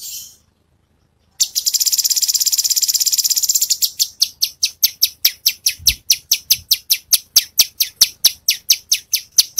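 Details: Cungkok bird song in a training recording: a brief high note, a pause, then a fast buzzy high trill lasting about two seconds, followed by a steady run of sharp, high, clipped notes repeated roughly twice a second.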